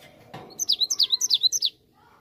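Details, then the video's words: A dull knock, then a brisk string of roughly ten sharp, high whistled notes, each sliding downward. This Cinereous tit song is a lure meant to draw an immediate answer from other birds. "Gelatik batu langsung nyaut dengar ini"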